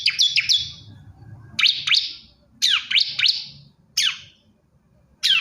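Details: Male bar-winged prinia calling a female: sharp high chirps sweeping down, given singly and in quick pairs and triplets with short gaps.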